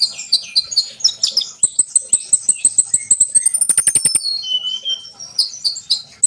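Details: Sunbird song meant to draw trainee birds into singing. High sweet twitters open into a fast, even run of ticking notes, roughly eight a second, under a thin sustained whistle, then scattered chirps.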